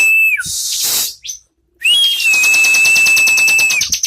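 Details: A bar-winged prinia gives a sustained, level whistle beneath a fast, buzzy stutter of high notes, following an earlier short whistle and a noisy burst.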